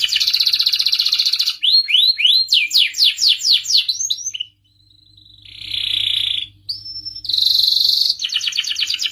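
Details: Canary in excited song, meant to stimulate males toward mating and singing: a fast rattling trill, a run of rising slurred notes about four per second, a short pause, then a buzzy trill, a pure whistle and another rapid roll.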